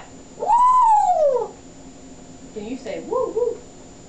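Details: Chatty pet male African grey parrot indoors, producing a long, loud arching whistle that rises then slides down, followed by a mumbled speech-like phrase.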